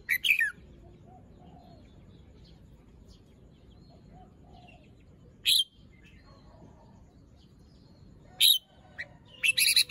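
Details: Morning song of a moulting red-whiskered bulbul, feathers fluffed and crest still drooping. Brief whistled phrases open and close the stretch, with a single sharp note between them. Long quiet gaps fill the rest, with faint distant chirps.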